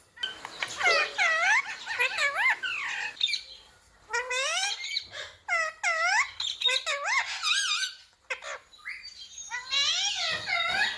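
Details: A rose-ringed parakeet says words like "mummy" and "papa" in a busy string of wavering, squeaky, voice-like syllables, several phrases run together with a short gap midway.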